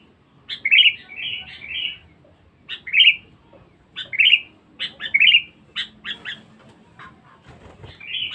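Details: Sooty-headed bulbul, a lively, aggressive bird kept for lure calls, repeats a bubbly, slurred whistled phrase about every second, each introduced by a sharp chip, with gaps of quiet between bursts.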